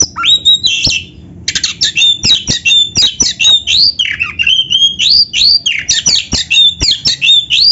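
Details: Oriental magpie-robin (kacer) singing hard through its full repertoire. Dense, rapid phrases of slurred whistles, scratchy notes and loud clicks pour out almost without a break after a brief opening pause.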